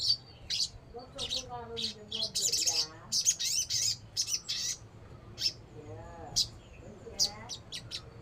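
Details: Sogon, or crimson sunbird, singing bursts of very high, sharp chirps and short buzzy rattles, separated by brief pauses, over softer lower warbling notes and faint hum.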